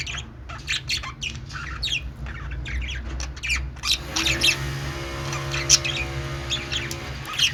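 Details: Budgie chatter: rapid squawks and chirps in dense bursts, with a constant low mechanical hum underneath.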